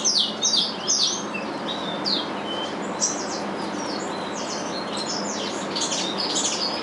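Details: Two captive-bred chestnut-bellied seed finches (curió) from a breeder's aviary, singing the same regional Curitiba song as their father: rapid clear whistled notes and slurred sweeps, high-pitched, in quick bursts over a steady background hiss.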